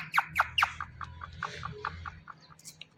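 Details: Indian ringneck parakeet, a pet talking parrot, gives a quick run of harsh, clipped squawky syllables, about two per second at first and then quieter and more broken, over a faint low hum.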